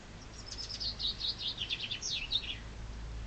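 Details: Spring chaffinch song: a full rattling phrase of quick, high notes descending in steps, then a brief terminal flourish, lasting about two and a half seconds over low background rumble.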